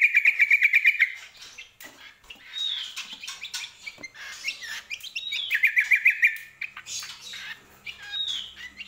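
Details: Lively greater green leafbird song, opening with a rapid rattling trill, followed by varied whistled slurs and chirps, and another quick trill midway, the notes bright and high over a quiet background.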